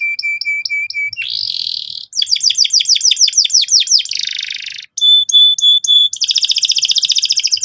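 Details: Lure song of an energetic canary meant to set other canaries singing nonstop: high, rapid tours of repeated notes, steady pure whistles repeated quickly, sweeping buzzy phrases and dense rattling trills, with sections changing abruptly every second or two.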